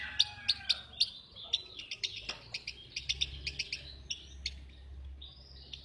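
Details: Lovebird uttering loud, sharp, staccato chirps at an uneven quick pace, mixed with softer high twitters and a single low knock in the middle.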